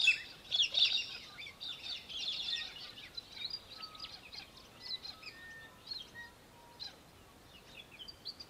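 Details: Australian hobby (little falcon) in Victoria, Australia, December 2023, giving a loud, shrill burst of rapid chattering notes near the start, then fading amid a busy chorus of other birds' thin whistles and chirps.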